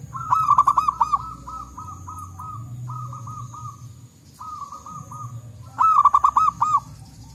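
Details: Forest zebra doves, local wild birds, calling back and forth. A loud run of rapid coos is followed by softer, slower series from other birds, then another loud rippling burst.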